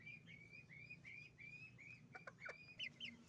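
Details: Chicken farm with roosters and hens: a run of clear, high peeps repeated about three times a second, some rising then falling, with a few sharp clucks near the end.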